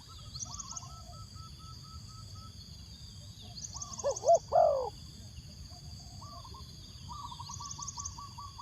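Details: Spotted dove used as a decoy bird, cooing to call wild doves: a few loud, low, mellow hooting notes in a short burst midway, over a steady high insect drone and faint chirps.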